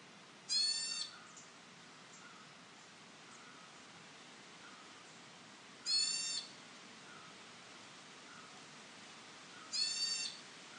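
A Square-tailed Bulbul gives harsh, nasal cat-like mews, each about half a second, spaced several seconds apart.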